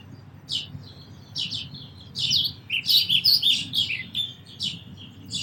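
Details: Sparrows chirping, at first in sparse notes, then in a lively overlapping chorus of high, sharp chirps from several birds.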